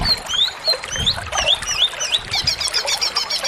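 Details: Cucak ijo, the greater green leafbird, delivers gacor full isian song: quick high whistled notes that swoop up and down, then a fast run of short repeated chips at the end, over light background noise.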